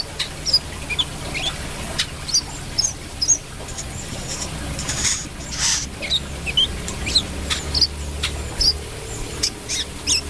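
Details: Brown-throated sunbird singing: scattered sharp, high chips and short upslurred notes at irregular intervals, with soft clicks and a low steady hum behind.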